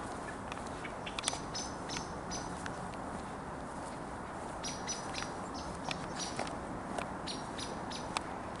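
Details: Common blackbird alarm calling, recorded on 31 October 2021: sharp high clicking chinks in irregular clusters over a steady low rumble of background noise.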